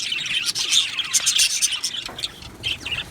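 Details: Aviary budgerigars giving bursts of sharp chirps and squeaky warbled notes, busy for the first two seconds, then thinning to a few separate twitters.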